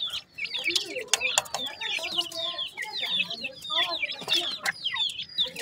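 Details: Very young painted francolin chicks: rapid overlapping high cheeps sliding downward, with scattered clicks and low murmuring clucks beneath.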